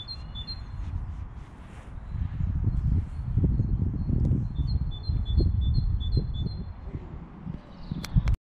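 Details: Birdsong in English countryside with flowers: a brief pair of high chirps, then a longer run of about seven thin, evenly spaced high notes, set against a heavy low-pitched background rumble.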